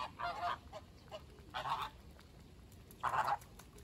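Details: Caribbean flamingo, also called American flamingo, giving three loud nasal goose-like honks, each about a third of a second long and spaced roughly one and a half seconds apart, over a quiet background.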